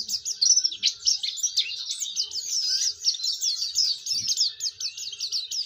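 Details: Energetic Oriental white-eye song meant to coax other white-eyes into singing, a dense stream of sharp, high, rapidly repeated slurred notes and chattering trills running without pause, with faint low background noise.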